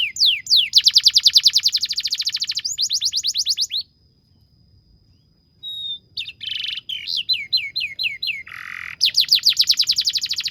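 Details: Domestic canary song used as a tutor recording to train young canaries to sing, with long songs, rapid note bursts and rolls: fast trilled phrases, a gap near the middle, then sweeping whistles and a buzzy rattle before trilling resumes.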